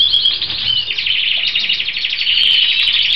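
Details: A European goldfinch of the Balkan subspecies Carduelis carduelis balcanica sings a fast, unbroken stream of bright, tinkling twitters mixed with buzzy, slurred notes, several per second, with nothing else audible.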